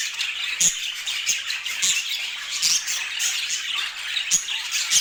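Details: Pet budgerigars in a flock keep up busy, high-pitched chatter, with warbled phrases overlapping and brief squawks and clicks popping out every second or so.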